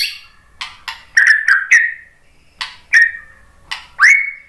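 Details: Murai batu, the white-rumped shama, sings to stimulate other shamas: crisp clicks and short chattering bursts alternate with clear whistled notes, closing on one long upward-sweeping whistle.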